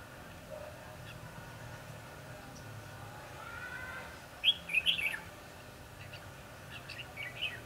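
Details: Red-whiskered bulbul singing as a trapping decoy, 22 December 2015: a quick string of four or five loud, liquid whistled notes midway, followed by a softer, shorter phrase, over low steady ambient noise.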